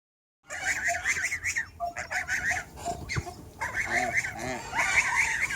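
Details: Backyard chickens and roosters of several breeds on a farm with over 100 animals, giving overlapping loud, harsh, wavering calls with nasal tones in a dense, continuous chorus, with short pauses between bursts.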